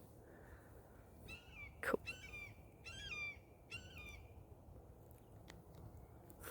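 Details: Red-tailed hawks in a backyard, possibly two birds. Several short, hoarse, slurred calls with downward-curving pitch come at intervals of about a second. Soft background hiss and one sharp click are also heard.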